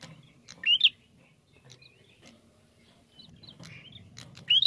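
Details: Lure recording of a Bar-winged prinia singing: a loud, quickly rising squeaky phrase early on, scattered soft chirps and ticks, then another loud rising phrase at the end.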